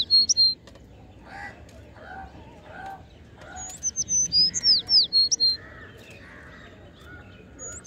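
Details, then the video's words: Sparrows call with soft lower chirps repeated about once a second, then a fast series of sharp, high whistled notes in the middle, some falling in pitch, ending in quieter chirps. "Sparrows Sound"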